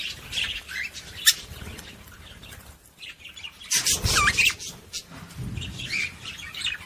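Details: Budgerigar warbling song played to stimulate females to mate: rapid chattering chirps and squeaky trills, a loud burst of buzzy, rising notes midway, over low background rumble.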